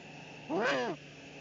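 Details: Eurasian eagle-owl male bringing the female her evening meal, probably a pigeon, Eifel, 13 March 2019. A brief raspy call with a bent, arching pitch holds for about half a second over a steady low background hum.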